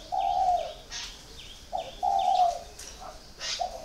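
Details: Spotted dove kept caged for four years giving slow, low, breathy coos at roughly one-and-a-half-second intervals, with scattered high chirps from another bird.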